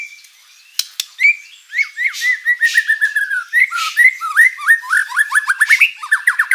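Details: White-rumped shama in full, lively song rich in varied fill-in phrases, played as a lure to make rival birds answer: rapid chains of short slurred whistles, rising and falling, sometimes with sharp clicks and scratchy high notes overhead.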